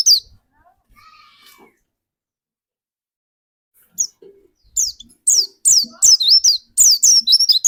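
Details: Pleci dakun white-eye singing as a lure for other white-eyes; near silence at first, then an accelerating stream of loud, high, down-slurred chirps with twisting notes toward the end.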